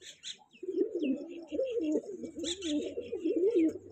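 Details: Kanta kash pigeon, one of a young breeder pair, giving a continuous low, warbling coo that rises and falls, with light background rustling.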